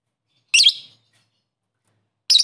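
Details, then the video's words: Lovebird calling out to rivals: one shrill, harsh, high chirp lasting about a quarter second, then a long silence before a second sharp chirp begins right at the end. "Burung Lovebird memanggil musuh"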